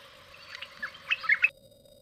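A White-throated Bulbul gives a second-long burst of harsh, squeaky chattering notes that rise to a few sharper chirps, over a steady low hum.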